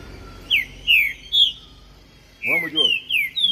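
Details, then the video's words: Street recording of a caged green-winged saltator, cage held in hand. Two bursts of slurred, downward whistled notes separated by a pause, with a man's voice briefly overlapping the second phrase. "TRINCA FERRO JOKER CANTANDO DE GAIOLA NA MÃO NA RUA"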